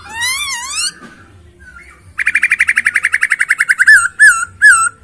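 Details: Masked laughingthrush (Poksay Hongkong) with a clear, rich isian song: a wavering whistled phrase, a pause, then a fast even series of about twenty short rattling notes, ending in looping whistled wavy notes.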